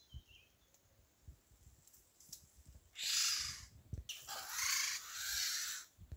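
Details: Eurasian golden oriole parents in a garden protecting fledglings that just left the nest give two long, harsh, cat-like screeching calls, the second nearly two seconds long. A faint thin whistle comes before them, over quiet low rumble.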